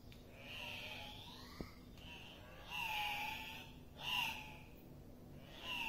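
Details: Andean cock-of-the-rock at a lek, giving loud nasal squawks with a harsh tone and a rising-then-falling pitch, in separate bursts about one to two seconds apart, over a soft steady background hiss.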